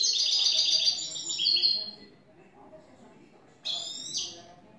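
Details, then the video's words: A newly acquired European goldfinch sings the clean "tres vueltas" song: a bright, rapid, tinkling twitter for about two seconds, a pause, then a short liquid burst over a faint low hum. "Jilguero a cante limpio " el tres vueltas""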